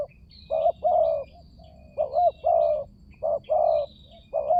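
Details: Spotted dove lure recording intended to make silent doves call: repeated low gruff coos in short-long pairs with soft trailing notes, while thin high whistles of other birds sound faintly above.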